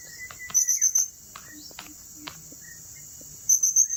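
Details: Blue-crowned hanging parrot recorded at Turipos, Tenom, giving short bursts of four thin, very high squeaky chirps at the start and end, amid scattered clicks and a continuous shrill insect hum.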